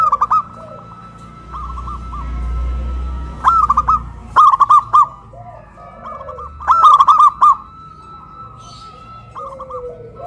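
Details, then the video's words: Local zebra doves raised high on a pole in Kuningan, West Java, Indonesia, a loud-voiced and a crystal-voiced bird dueting: several short runs of fast, arching coos come every second or two, louder and softer phrases alternating. "PERKUTUT LOKAL SUARA BESAR VS SUARA KRISTAL"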